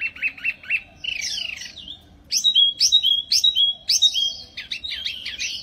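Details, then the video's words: Wambi mini bird in lively song: short repeated whistled notes, then a sweeping downslurred phrase, then bright clear whistles alternating with steady held tones, all high-pitched, with a quiet low hum in the background. "Burung Wambi Mini Gacor Banget"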